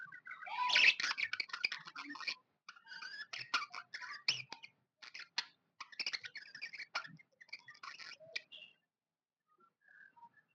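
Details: Happy pet budgerigar chirping: a dense, busy stream of rapid high chirps, squeaky notes and sharp clicks for about eight seconds, then a short pause and a few faint soft chirps at the end.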